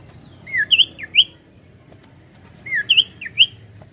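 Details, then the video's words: Sirtu singing a varied, rolling lure song meant to draw other birds into song: two matching bursts, each a rapid cluster of sharp, looping whistled notes, separated by about two seconds of near-silence. "Pancingan Sirtu Gacor Variasi Ngeroll"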